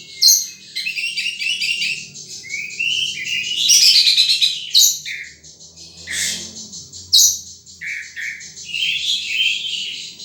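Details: Wild sunbird pouring out fast, high, jumbled twitters and sharp chips, with short rising slurred notes between loud explosive bursts; a faint low hum beneath.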